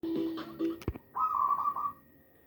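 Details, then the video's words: Hand-reared young zebra dove, a single chick: a low steady tone and sharp clicks, then a slightly higher rolling, trilled call lasting under a second. "burung perkutut hasil lolohan. anak tunggal"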